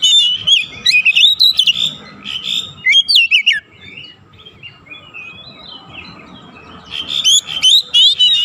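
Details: Oriental magpie-robin singing as a lure to provoke other birds into full song and mimicry: rapid, sweet whistled phrases with sharp slurred notes, a lull of soft twittering midway, then loud whistling again at the end.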